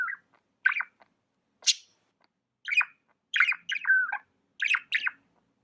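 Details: Pet budgerigar chirping indoors: a string of short, bright chirps and squawky notes, some rising and falling, in separate bursts about every half second to second, with one longer warbled note near the end; otherwise quiet room.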